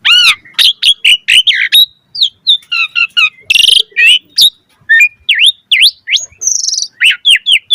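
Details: Asian pied starling pouring out varied song to stir other starlings: fast, dense chirps and whistled slurs, a loud grating buzz midway, then repeated V-shaped whistles toward the end.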